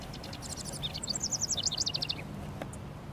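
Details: Male house wren singing to mark its territory around a honeysuckle-covered fence and bushes on a sunny 19 °C Mother's Day: one bubbly, rapid burst of high, tumbling chattering notes lasting about a second and a half, over a low background rumble.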